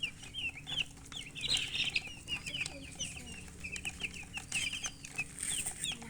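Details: Chickens, baby chicks, peeping constantly as a flock, dense runs of quick high chirps overlapping almost without pause, some louder bursts standing out, over a low background hum.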